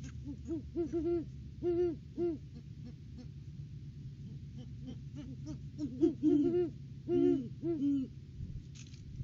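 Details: Pair of wild Great Horned Owls duetting at their nest tree in December, outside the breeding season; bursts of overlapping deep hoots, higher and lower voices alternating, with quieter gaps and a low steady hum.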